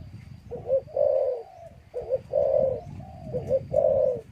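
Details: A caged male spotted dove near a female, with young in the cage, crowing alone in low, mellow phrases, each a short note then a longer purring coo, about every 1.4 seconds, over a faint high hum.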